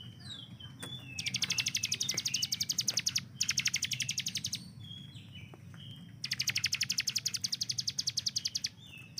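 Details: Hill prinia prized for its gun-like rapid delivery: a few short whistles, then two long bursts of fast staccato notes with a brief gap, against low background noise.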